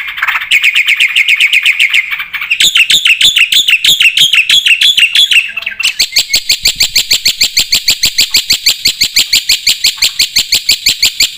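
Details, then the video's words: Black-winged starling in energetic full-filler song, used as a tutor recording to prompt other birds to sing: a rising whistled trill, then rapid chattering phrases, then a long run of fast, evenly repeated harsh chips. "suara burung jalak putih gacor full isian"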